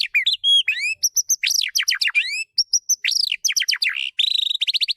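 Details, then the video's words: Magpie-robin singing in a training recording for a bird that stopped singing: a continuous stream of high, clear whistles, looping upswept and downswept notes, ending in a rapid trill of short repeated notes. "Audio Refleksi atau latihan untuk burung murai yang mogok bunyi"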